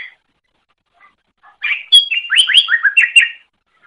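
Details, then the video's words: A greater green leafbird, its song used for teaching other birds to sing, gives a short phrase after near silence: a sharp high note followed by rapid rising and falling whistled slurs. "Masteran Suara Cucak Ijo"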